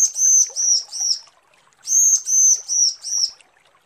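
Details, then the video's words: Female bar-winged prinia calling the male: two phrases of four high, level whistled notes, each phrase falling slightly, with a brief quiet gap between. "Suara ciblek betina panggil jantan"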